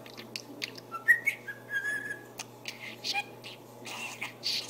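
A budgerigar chatters in quick bursts of scratchy, speech-like syllables mixed with thin whistles and chirps. A steady low electrical hum runs underneath.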